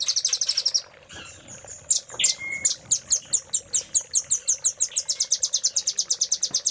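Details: Master song of a velvet-fronted nuthatch, cililin filler style, meant for training caged songbirds: rapid high trills with scattered sharp chirps between them, the notes pulsing at a quick, steady beat.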